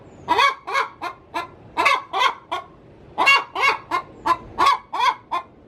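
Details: Pre-laying cackle of a domestic hen in her coop: rough, broad squawks repeated in quick clusters, about forty-three a minute, steady and loud.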